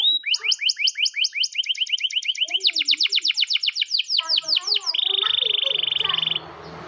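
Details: Champion canary singing its morning training song: strings of quick, evenly repeated whistled notes that speed up and drop in pitch, then a steady buzzing roll held for over a second.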